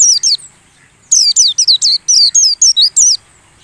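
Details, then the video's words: A white-eye lure call, played during the morning airing so the bird sings: a rapid run of high, thin, downslurred chirps squeezed into a continuous bright twitter after a brief opening phrase. "suara PANCINGAN PLECI"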